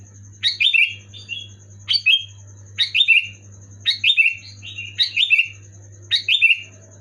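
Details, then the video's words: Loud Sooty-headed bulbul song for getting pet bulbuls to sing: six bubbly phrases of quick slurred whistles dropping in pitch, spaced about a second apart, with a steady high whine and low hum behind. "Suara burung kutilang gacor keras jelas bikin kutilang omyokan macet malas bunyi auto bunyi gacor"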